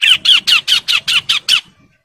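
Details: Harsh, buzzy calls from a male bar-winged prinia in breeding condition calling females: eight grating notes in quick even succession, each with a dropping inflection, spaced about a fifth of a second apart, then quiet.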